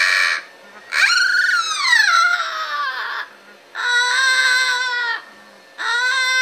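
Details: A male Magna Double Yellow-headed Amazon, happy after his bath and singing until dry, gives loud, harmonic rising-and-falling wails and drawn-out cries in bursts, about one every two seconds, in a small room.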